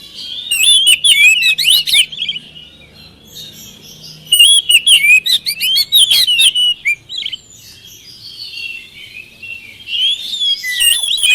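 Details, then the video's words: Oriental magpie-robin song used as a lure for a quiet caged bird; two loud bursts of rich, rapid warbling and chattering whistles with a quieter pause between, ending in softer twittering. "pancingan kacer malas bunyi mudah ikut nyaut gacor"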